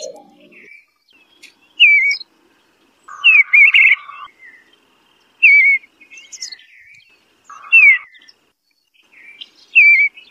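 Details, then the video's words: Eastern bluebird singing short slurred whistles that drop in pitch, one phrase about every two seconds, with a lower buzzy note under some phrases and quiet gaps between. "Bird Sounds Eastern Bluebird Call The Melodious Song Eastern Blue bird"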